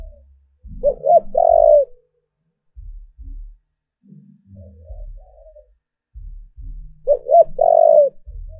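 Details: Lure spotted dove cooing to draw in wild doves: two full phrases about six seconds apart, each two short notes then a long rounded coo, with soft low thumping and faint cooing between.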